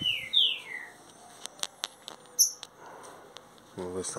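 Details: Young captive green-winged saltator, about 30 days old and just starting to sing loudly, opens with a quick run of loud, clear whistled notes sliding downward, then scattered clicks, a thin high note and a brief human voice.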